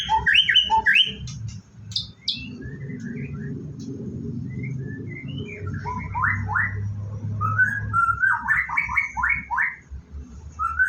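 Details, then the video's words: White-rumped shama preparing to bathe in the morning: varied whistled phrases with sharp high notes, rising slurs and quick clusters of upswept whistles, with steady low rumble beneath. "Rutinitas Pagi Murai Batu"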